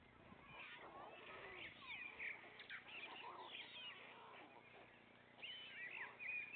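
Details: White stork nest, the father bringing food to three young chicks; scattered high squeals and sliding mews building to louder overlapping calls near the end.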